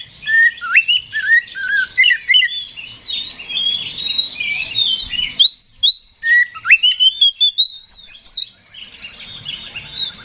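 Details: Oriental magpie-robin singing to goad a rival into a fight: repeated rising whistles and short swooping notes, long stretches of fast chattery warbling, and a long whistled climb toward the close.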